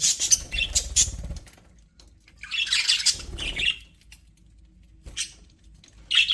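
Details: Pet budgies in an aviary chirping: quick scratchy high notes at the start, a longer buzzy warble in the middle, then isolated squawks, with low background hum.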